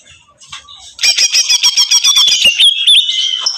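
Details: Greater green leafbird screaming in agitation: after soft faint notes, a sudden loud, rapid stutter of piercing chirps with a thin whistle gliding across them.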